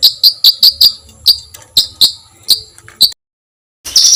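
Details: Master recording of a songbird for training competition birds, with rough shot-like fills: loud, sharp, separate piercing chips spaced irregularly, a short silence, then a harsh high buzz.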